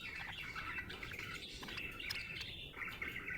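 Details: Happy budgie chirping continuously in a dense, warbling chatter of overlapping chirps and twitters, steady and unbroken throughout.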